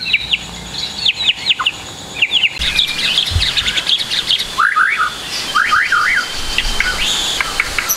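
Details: Full varied song of a white-rumped shama as tutor material for young birds: clusters of high sharp notes, then swooping V-shaped whistles repeated in pairs, with a low thump midway.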